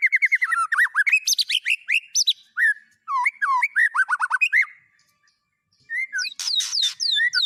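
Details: White-rumped shama song full of mimicked phrases: quick varied whistles and looping slurred notes in bursts, a brief silence, then high sweeping whistles.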